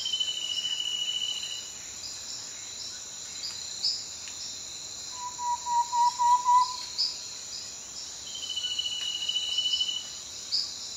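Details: Thrush-like antpitta (Myrmothera campanisona) song: a brief series of about eight hollow, evenly spaced notes at low-mid pitch, rising slightly, set against a loud, continuous high-pitched insect and cricket chorus heard throughout.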